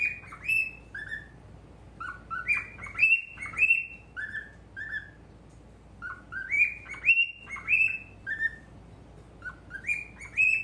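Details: Male cockatiel facing a mirror keeps up a lively run of whistled chirps over ten seconds, mixing high level notes and lower slurred ones, in clustered groups with brief pauses.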